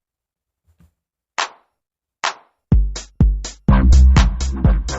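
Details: Electronic drum-machine beat only: a few sparse hits build into a fast, steady pattern of deep kicks and sharp snares, with no animal voices at all.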